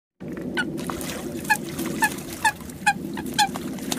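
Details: Coot calling: short, sharp, honking notes repeated roughly every half second over a steady low rumble of background noise.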